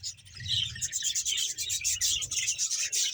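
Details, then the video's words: Chorus of a 100-pair budgerigar colony in Bahawalpur, quiet at first, then a loud rush of rapid, scratchy high chirps and trills repeating in quick pulses. "budges sound"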